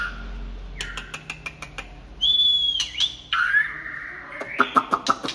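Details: White-rumped shama singing late in the afternoon: a run of sharp ticking clicks, a long steady high whistle, a lower rising whistle, then more rapid clicks mixed with short notes.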